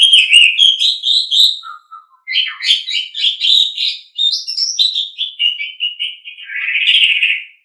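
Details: Loud, full song of an Asian pied starling used for training: a continuous stream of whistled and chattering notes, a brief low dip, then varied phrases closing with a harsh, drawn-out note.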